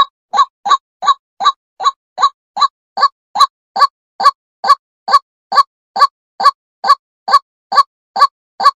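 A female white-breasted waterhen gives a steady run of hoarse, clucking notes, a little over two each second, with nothing else heard.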